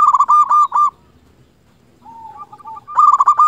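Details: Local zebra dove in full song, played as a lure to get quiet doves to sing. Trilled, bubbling coos come in quick bursts, then a soft lower phrase, then a return to the rolling coo bursts.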